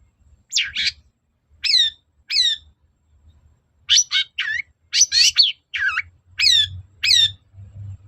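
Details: Long-tailed shrike, a lure to provoke singing replies: varied chattering phrases mixing harsh bursts and clear bending whistles, in uneven clusters with brief gaps and a faint low hum underneath.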